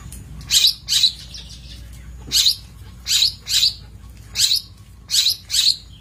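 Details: Long-tailed shrike song used as a training master for songbirds: harsh, scratchy broadband bursts, given singly or in quick pairs, about eight bursts in six seconds, with a faint low hum underneath.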